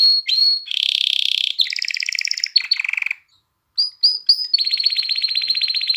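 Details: Canary singing to stimulate females for breeding and chicks to learn: a whistled note, buzzy rapid trills at several pitches, a short pause, then clipped upward notes and a long even trill.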